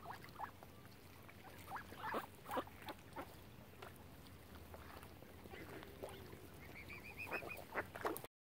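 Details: Ducks on Lough Neagh at Oxford Island, Ireland, gathered around a swan family: scattered short nasal calls and soft clicking dabbling sounds, with a quick run of high chirping notes near the end over a steady low hum.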